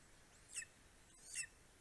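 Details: An Estonian greater spotted eagle at the nest yelps at 9:02 am on 2 July 2020, while a parent brings voles and a bird to its four-week-old eaglet: two short, high, harsh, slightly squeaky notes about 0.75 s apart over faint hiss.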